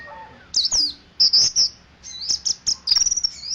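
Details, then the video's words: Ciremai dakun Mountain white-eye giving ngeriwik song: sharp high downslurred chirps and buzzy notes in quick bursts, ending in a fast stuttering trill, over faint low background hum. "Pleci dakun Ciremai ngeriwik"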